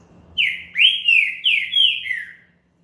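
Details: Single song phrase of a champion green-winged saltator, used to stir up another bird: four rich whistled notes, each sliding down, delivered in about two seconds in a quiet room.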